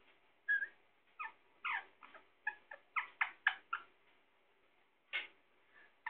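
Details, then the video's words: A parrot described as Sindhi gives a string of short, harsh, harmonic squawks in uneven bursts, some notes doubled, with quiet pauses between them. "sindhi parrot"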